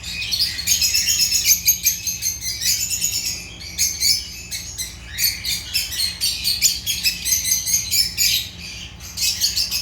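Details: African lovebirds of the genus Agapornis chattering continuously, dense rapid high-pitched chirps and squeaks in overlapping bursts with short pauses, several birds calling at once.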